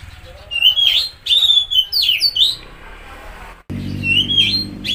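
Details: Oriental magpie-robin (kacer) song used to stir a stressed or silent bird into singing: loud whistled phrases near the top of its range, sliding and wavering, in bursts with short pauses, and a low hum behind.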